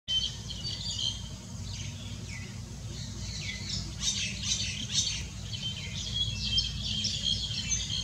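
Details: Asian green bee-eaters, 31 July 2019, several birds giving high, thin trilling chirps together in loose overlapping bursts, over a steady low rumble.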